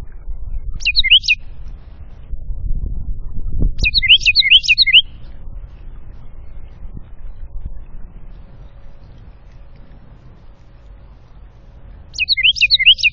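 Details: Wren singing in the afternoon at feeders beside woods and a creek in the Appalachian foothills northwest of Atlanta, Georgia: three loud bursts of quick, ringing, down-slurred whistled notes, spaced several seconds apart, over a low rumble of background noise.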